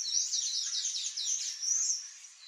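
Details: A Palm Tanager visiting a yard for food gives a continuous run of high, thin, squeaky twittering notes that waver and slur rapidly for over two seconds.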